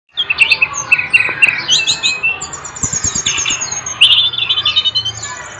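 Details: A songbird singing energetically, as kept by bird-song hobbyists: loud, rapid high-pitched twittering with quick trills, chirps and sweeping whistled notes, phrases tumbling together almost without pause over a few seconds, with faint soft tapping beneath.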